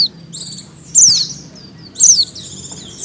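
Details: Oriental white-eye female in breeding condition calling to males; two high descending notes mixed with thin, buzzy high trills and twittering.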